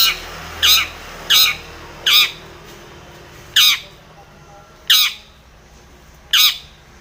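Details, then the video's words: Long-tailed shrike calling a rival: loud, grating squawks spaced well apart, each with a short lower hooked tail, over faint background hiss. "SUARA cendet gacor MEMANGGIL LAWAN"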